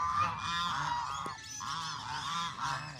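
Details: Hungry Canada geese in a group give continuous overlapping nasal honks. The loud, steady chorus of harsh calls barely pauses.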